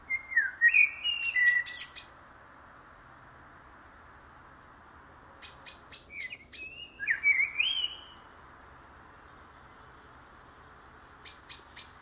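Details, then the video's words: Common blackbird pouring out two mellow, looping whistled phrases separated by silence, each joined by rapid high chirps, with a further burst of thin notes near the end. "KARATAVUK SESİ (KARABAKAL)- COMMON BLACKBİRD - TURDUS MERULA"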